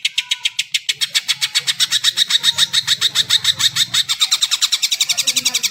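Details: Greater green leafbird, actively singing to spur other birds: nearly six seconds of fast, evenly spaced, ringing repeated notes at a steady rhythm, with a low hum in the background.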